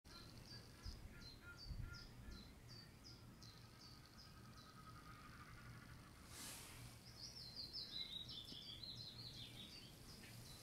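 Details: Young Eurasian spoonbills at Beuven on 21 June 2016 give thin, high wheezy notes repeated about three times a second, then a rising and falling chatter, over a steady low hum and wind.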